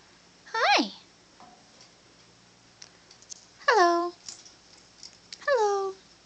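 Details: Pet female Bare-eyed Cockatoo, one year old, indoors, saying "hi" to its owner: three loud, falling, harmonic voiced calls spaced about two seconds apart, with faint clicks and quiet room noise between them.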